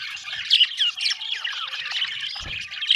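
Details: Budgies give fast, wavering chirps and scratchy squawks in a tight jumble, louder bursts at the beginning and close, a soft low bump in between.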